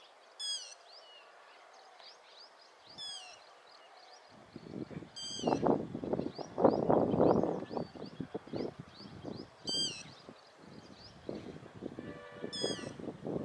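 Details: Yellow-wattled lapwing on the run, giving five sharp, piercing calls at irregular intervals of two to four seconds. Low rustling and scuffing noises come between calls, with soft chirping of other birds behind.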